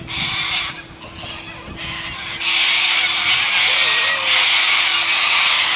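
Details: White cockatoos in Australia giving long, hoarse, hissing screeches that swell louder after a short lull and run almost continuously, with a low steady hum in the background.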